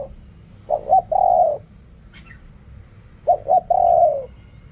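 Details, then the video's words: Two phrases of spotted dove cooing in the Thai riak kham, khu kham, ok rong manner. Each is a double short coo and then a long, even, gently falling note. A faint chirp comes between them. "เรียกคำ คูคำ อกร่อง เสียงนกเขาใหญ่"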